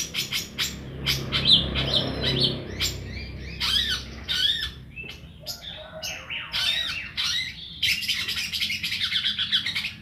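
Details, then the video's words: Young caged long-tailed shrike still learning its full open-voiced singing style, ngeplong, producing a jumble of sharp chirps, harsh squawks and short rising whistles in irregular bursts with brief gaps between them. "Cendet Gacor ,Baru Belajar Ngeplong"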